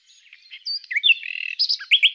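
A common nightingale sings a rich, varied phrase of high whistles and a rapid rattling trill, ending in three loud, repeated rising notes.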